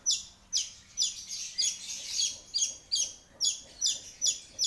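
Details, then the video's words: Long-tailed shrike singing actively: harsh, scratchy high notes in bursts repeated about twice a second, with a brief faint low hum early on. "Burung Cendet Nggacor"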